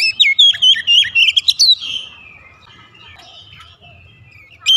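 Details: Oriental magpie-robin (kacer) singing in the morning: a quick two-second burst of clear whistled and chirpy notes with sharp slurs, then near quiet with faint distant chatter, before a fresh bright whistle starts at the end.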